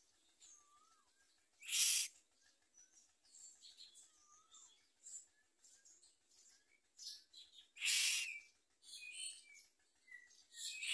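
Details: Common myna chicks, reluctant to eat and trying to bite their mother, give two loud, harsh rasping squawks about six seconds apart between scattered thin chirps and short whistled notes.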